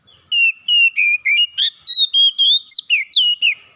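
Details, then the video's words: Lure song of an oriental magpie-robin, meant to prompt a lazy bird to sing: bright whistled notes in quick succession, mostly level then rising and falling slides, with one short buzzy burst in the middle. "PANCINGAN CEPAT MEGATASI KACER MALAS BUNYI CEPAT GACOR"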